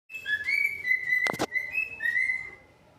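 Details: Pet cockatiels calling: bright whistled notes that slide down and level off, with one up-slurred note and a brief sharp clicking sound midway.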